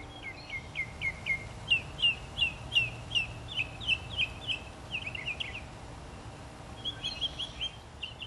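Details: Preening northern mockingbird in Florida, 2005, amid native plants, singing loudly: long series of sharp, downslurred whistled notes repeated about three per second, shifting to a buzzy trill and then softer chattering phrases near the end, low hum behind.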